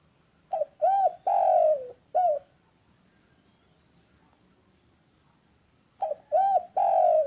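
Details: Two phrases of spotted dove cooing, loud and calm, used to spur lazy doves into calling: a short note, arched coos, a long falling coo and a final short coo, with a few silent seconds between phrases.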